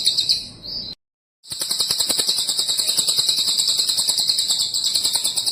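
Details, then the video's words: Cililin bird: a short high trill, a sudden cut to silence, then a long rapid, pulsing high-pitched trill that carries on steadily for about four seconds. "Suara burung cililin ASLI"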